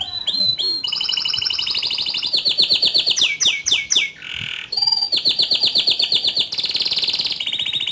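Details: Canary in constant rolling song with sharp high notes: fast trills at several pitch levels, brief down-slurred whistles, a short lull around mid-phrase, then long steady buzzy trills resuming.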